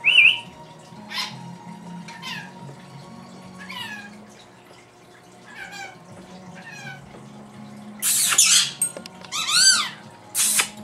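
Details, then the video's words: Indoor female pet lory echoing sounds her owner makes: a brief whistle, then a series of soft descending chirpy slides, followed by loud raspy shrieks and a bright falling whistle near the end, with faint room hum. "the talking Lory"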